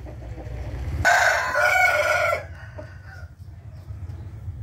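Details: Morning crow of a rooster, 8 April 2021: a single loud, hoarse crow about one and a half seconds long bursts in after a low rumble, then quiet hum.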